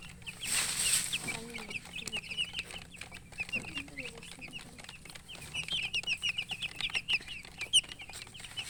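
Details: Baby chickens, colour chicks kept as poultry, peeping while thirsty for water: a dense chorus of short, high, upward-flicking chirps from many chicks, with a brief louder rustle near the start.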